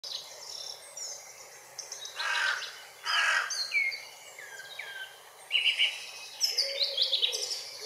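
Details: Hooded crow (Corvus cornix) giving two harsh, broad caws in quick succession midway through, amid many thin whistled and chirping notes from other small birds.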